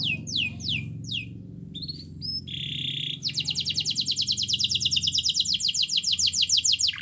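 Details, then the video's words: Singing canary used to prompt a silent one to sing: a few swooping downward notes, a short buzzy note, then an extended fast trill, over a low steady hum. "Suara Kenari Gacor Yang Malas Bunyi Awas Kaget Ikut Bunyi || Pancingan Kenari Agar Bunyi"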